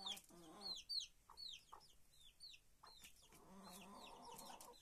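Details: Inside a henhouse, several quick descending peeps sound over a few seconds, then give way to a long, steady, low droning hen call that fills the last part of the clip.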